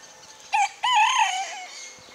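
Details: A Pekin bantam rooster on a farm in the morning, 26 December 2015, gives a short, high crow: a brief opening note, then a longer wavering cry that trails off, with faint background hiss.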